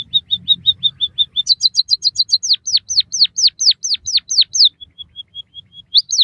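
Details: White-headed munia singing for a training recording for captive birds: short level chips open the phrase, then a quick high chip burst and eight downslurred whistles. A faint thin trill and one more slurred note close the phrase.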